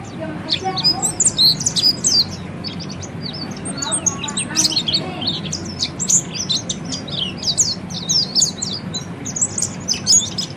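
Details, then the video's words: Oriental white-eye ngeriwik song used as training sound: busy, scratchy high-pitched twitters and clicks in uneven clusters, quieter lower notes early on, steady low hum beneath. "kicau burung peleci ngeriwik"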